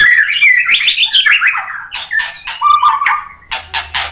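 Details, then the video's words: White-rumped shama in full, vigorous song, used as a lure to provoke a fighter bird into answering and showing its repertoire: a loud, fast, varied run of rich whistles and trills sliding from high to mid pitch, with sharp clicking notes near the end. "MURAI BATU GACOR bikin EMOSI NYAUT FIGHTER jadi BONGKAR ISIAN | PANCINGAN MURAI"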